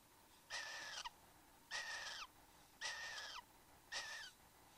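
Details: Satin bowerbirds, male and female, in the bower, Australia, 15 November 2014, 9:05 am: four long buzzy, hissing calls with a whistled core dropping at the end, spaced a little over a second apart.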